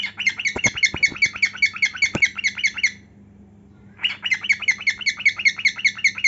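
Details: A cockatiel sings as it dances and displays its heartwings. Two runs of rapid, grating chirps are split by a one-second pause. A few sharp clicks or taps fall in the first run, over a low hum.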